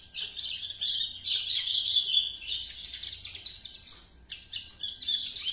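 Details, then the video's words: Two-month-old Horsfield's bush lark of Javan type, copying its master song. A dense, unbroken warble of high twitters and thin whistles, with a short pause near the middle before the chatter resumes. "branjangan java usia 2 bln sudah mulai membawakan materi masteran nya"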